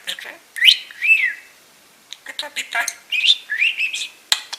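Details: Pet budgie chattering on its owner's shoulder during gemstone sorting: bright rising whistles and warbled slurs broken by scratchy notes and a short pause.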